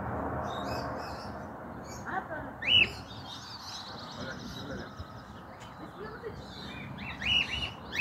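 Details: A cockatiel seen on a rooftop in 2023, living free and thought to have escaped, gives a few sharp, rising-falling whistled calls separated by several seconds, with faint chirping and distant background noise between them.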